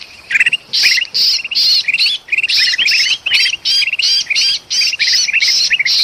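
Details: Frantic kutilang emas bulbul with a trapped bird, used to lure forest birds in Sumatra: regular harsh squawks, each trailed by bright rising chip notes, close to three bursts per second.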